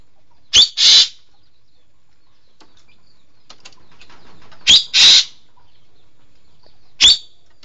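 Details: Engkek keling, or green magpie: repeated pairs of a sharp click-like note and a harsh rasping screech, given three times with long quiet gaps between.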